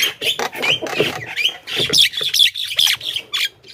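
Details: Javan myna calls used as a lure to draw wild birds: a dense run of harsh, scratchy squawks with short, high, thin whistles, delivered in rapid, irregular bursts with almost no pauses.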